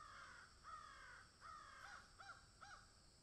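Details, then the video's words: Crows caw in a field, about five hoarse, slightly downward-bending calls, the last ones shorter and clipped. "crows caw in field"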